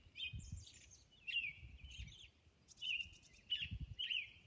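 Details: Robin at dawn, Orcas Island, singing clear caroling phrases separated by short pauses, some phrases topped by thin high chirps, with soft low background noise underneath.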